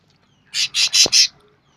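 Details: Sooty-headed bulbul singing vigorously, delivering four loud, harsh buzzy notes in quick even succession, with a brief click in the middle.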